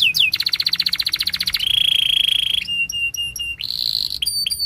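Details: Singing canary: a fast rattling trill leads into a steady held whistle, then clipped repeated chirps and a brief buzzy phrase, all high and clear.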